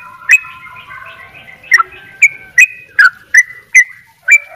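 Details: Yellow-vented bulbul giving a fast doubled ropel song, short sharp notes dropping from high to mid pitch and repeated about every half second, over faint lower whistled tones.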